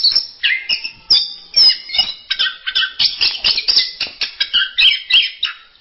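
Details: Varied masteran-style singing by an orange-headed thrush: a couple of separated whistles, then a fast, rhythmic stream of scratchy chirps and trills repeated several times per second.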